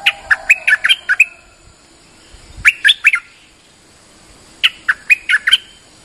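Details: Bulbul lure call, known in Thai as nok dok taeng and in Malay as merbah lekir, used to draw in other birds: three bursts of quick, bright chirping notes that jump up and down, with short silent pauses between them.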